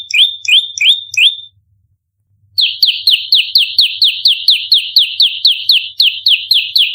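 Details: Bar-winged prinia in fighting mode, tightly repeated shots meant to lure and train birds: four high flicked notes, a one-second pause, then a dense run of about twenty rapid, piercing chips.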